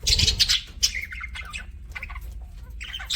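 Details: Budgies kept as pets open with loud sharp chirps and squeaks, then trail off into softer, scattered twitters and a short warble.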